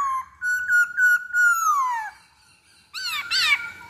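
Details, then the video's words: Black-throated laughingthrush song played as a lure: a series of clear whistled notes that slide downward into a long falling whistle, a short pause, then two harsher rich notes with overtones. "Pancingan Poksay Hongkong Paling Ampuh"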